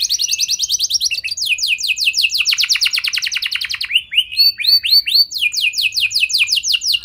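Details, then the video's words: Canary song played to coax other canaries into singing: rapid rolling trills and falling slurred notes, a set of upswept whistles, then more fast repeated descending notes, with no other sounds. "Pancingan Burung Kenari Biar Gacor Lagi!"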